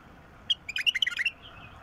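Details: Song of a bulbul described as 'mukhlif', used to prompt a silent bulbul into singing: one short burst of about eight quick liquid, warbled notes, bright and slightly rising, over a quiet background.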